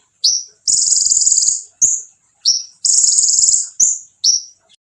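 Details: Konin singing aggressively to rile other konin: crisp, high falling notes alternate with long, thin, buzzy trills in a quick repeating pattern.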